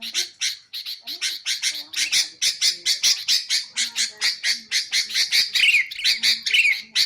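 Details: Sooty-headed bulbul, played to attract its own kind and to train songbirds. Steady rasping notes grow louder, then give way to sliding, slurred phrases near the end, with soft low notes in the background.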